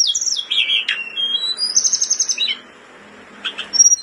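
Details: Blood-breasted flowerpecker in breeding condition, kept caged and used as a tutor for other birds: high stepped descending whistles, then a rapid buzzy trill, a brief pause, and scattered sharp chips.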